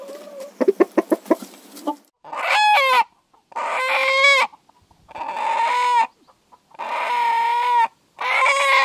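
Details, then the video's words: Chickens, hens and roosters: a quick burst of sharp clucks opens, then roosters crow again and again, five long harmonic cock-a-doodle-doo calls, each about a second long, separated by short silences. "Chickens, Hens & Roosters Sounds | اصوات الفراخ و الديوك"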